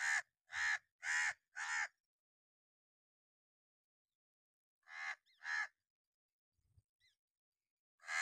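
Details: Crow in an angry mood giving sharp, loud caws used for alarm or warning: a quick run of four harsh, hoarse caws, a pause, then two more and a final one starting, against an otherwise silent background.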